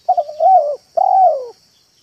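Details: Spotted dove lure call in the 'meratus' and 'manggung' styles: quick stuttering notes run into a sustained coo, followed by a long, gently descending coo over a steady high hiss.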